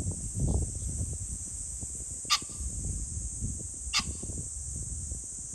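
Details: Two sharp, grating pheasant calls roughly one and a half seconds apart, recorded on 21 July 2024, set against a low background rumble and an unbroken high-pitched drone.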